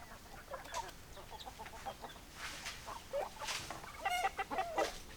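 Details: Chickens cluck in uneven bursts, scattered short notes growing busier toward the end with a run of clearer tonal clucks and a few harsh squawks.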